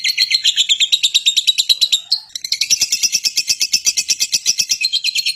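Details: Lovebird chattering shrilly in quick rasping pulses, pausing briefly partway through, then resuming an even higher, denser squeaky stream.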